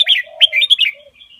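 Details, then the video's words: Red-whiskered bulbul master song used for teaching young birds: quick bright whistled and warbled notes, with a lower soft note underneath, ending in fainter trailing warbles. "นกกรงหัวจุกอินโดเบิ้ลเพลงแม่บทอาชีพ เปิดสอนลูกนก"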